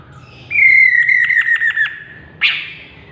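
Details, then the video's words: Chestnut-capped laughingthrush calling with a long, gently falling whistle that turns into rapid stuttered pulses, followed by a short harsh squawk. "chestnut capped laughingthrush bird"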